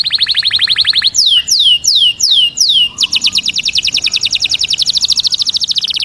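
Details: Male canary song used to stimulate mating: a rapid high rolling trill, then five loud descending whistled sweeps, then a long fast even trill of dense repeated notes lasting about three seconds.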